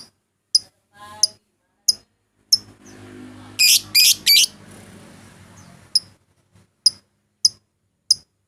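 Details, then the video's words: Lovebird lure recording, used morning, afternoon and night to call out rivals and get a bird singing, with sharp high chirps spaced about every half second and a brief rasping, buzzy burst in the middle over faint low hum. "pancingan memanggil lawan, burung lovbird"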